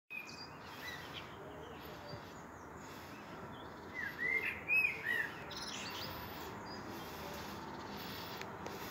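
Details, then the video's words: Common blackbird singing at sunset: a short burst of mellow whistled notes in the middle, with steady wind-like background hiss and long quiet stretches before and after. "Amsel und Sonnenuntergang!"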